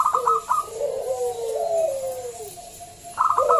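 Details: Loud local zebra dove calling to lure others into singing: rapid bursts of clipped notes frame a long, wavering, descending coo.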